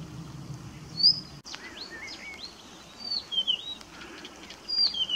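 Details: Song of a Blyth's reed warbler, RSPB Middleton Lakes, 18 June 2021: a loose series of thin whistles, upslurred and downslurred notes and short chirpy phrases, high-pitched and unhurried, with a sharp click and soft background noise.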